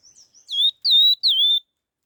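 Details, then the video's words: Laughingthrush singing quickly: two soft high introductory notes, then three loud ringing whistles in rapid succession, each starting higher and easing down to a level tone, against silence. "Tiếng chim khướu lùi đuôi hung hót kích nhanh"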